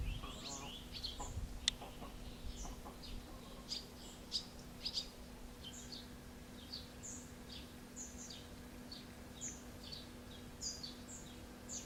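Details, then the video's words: Barn swallows in late June 2016 at Alzira, Valencia, Spain, a pair feeding a chick: sparse high chirps and short twitters scattered across the recording, a few sharp clicks, and a steady low hum. "golondrinas cebando una cría (Hirundo rustica)"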